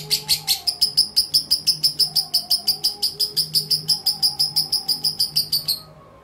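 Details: Lovebird kept as a contest fighter with a 'mentil' song style, housed uncovered and fed plain seed. Sharp, high chirps pour out in a rapid, steady stream of about five notes per second for six seconds, then stop, over a faint low hum.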